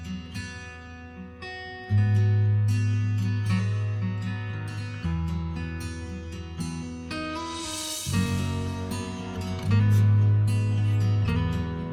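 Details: Strummed acoustic guitar music plays throughout, with no animal sounds.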